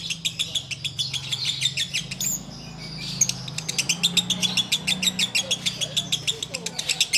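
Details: Sooty-headed bulbul in ngekek song on a Ramadan afternoon before fast-breaking: rapid, high, sharp chatter that pauses briefly around the middle, then resumes as a fast, even string of repeated notes.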